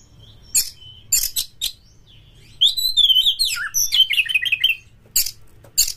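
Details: Oriental magpie-robin (kacer) used as a lure to set other kacer singing in mating mood: harsh rasping bursts alternating with a long warbled whistled phrase of sliding and wavering notes.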